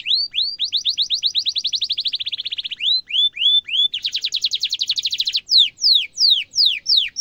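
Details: Canary singing a long, sharp rolling trill for training young birds: rapid high notes repeated in tight series, shifting pitch between sections, ending in slower, looping down-slurred whistles.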